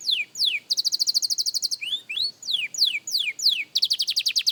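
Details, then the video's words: Young canary at singing practice, mixing steep downward-sweeping whistles with fast, even, high-pitched trills of rapidly repeated notes, plus a couple of short upward-curving phrases. "Young Canary Singing Practice – Surprisingly Good for a Beginner!"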